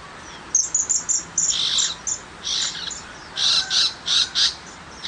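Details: Tiger shrike in rural surroundings giving high, squeaky notes and clipped rasping calls in uneven bursts, some short and some drawn out.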